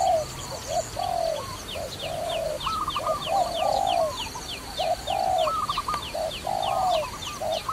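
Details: Dove cooing during trapping: a long run of short and drawn-out low coos, with overlapping phrases that suggest more than one caller. A rapid series of thin, high chirps from another bird runs throughout.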